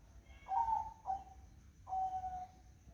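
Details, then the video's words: Zebra dove on a misty morning gives a gentle three-note coo, a wavering first note, a short second and a long level third trailing away, with quiet low hum behind. "Suara Burung Perkutut di Pagi Hari Berkabut"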